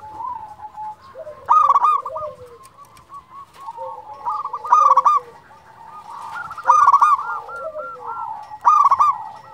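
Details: A local zebra dove, a champion singer, calls to excite other doves and raise their breeding urge. Loud coo bursts repeat every two seconds or so amid overlapping softer rolling coos and descending notes.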